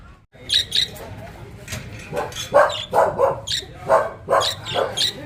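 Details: Two pet budgerigars; one chatters in quick, varied bursts of scratchy warbling and bright chirps.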